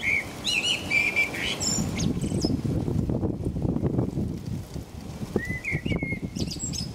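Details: Blackbird in England, singing in the rain around 5 a.m.: a warbled whistled phrase and high twitter, then a stretch of loud rain, then a short rising fluty phrase.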